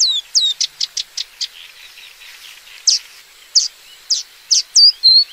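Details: Paddyfield warbler song: a quick run of sharp, high downslurred notes, then a brief pause and a slower series of louder, strident notes, each spaced about half a second apart.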